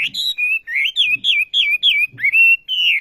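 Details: Olive-backed sunbird giving a rhythmic series of nine loud whistled notes, each sliding down then levelling, spaced about a third of a second apart; faint low knocks beneath a few notes.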